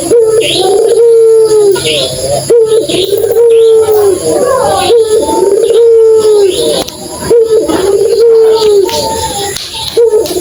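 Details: Puter dove, a lively calling bird meant to prompt silent doves into answering, giving drawn-out steady coos roughly every two seconds. Voices are heard in the background of an indoor room.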